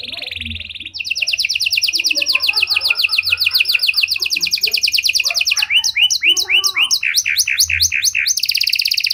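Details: Canary of the Panda type in luxurious song, played to bait and train other canaries: a short steady buzzy note, a long fast rattling trill, then loud repeated downslurred notes and another trill, with soft twitters behind.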